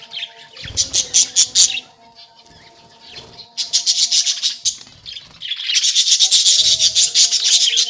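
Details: Budgerigars in a breeding colony, with baby budgies out, chattering in loud runs of rapid scratchy chirps, a quieter gap, then a long dense burst of warbling chatter, a faint steady hum beneath.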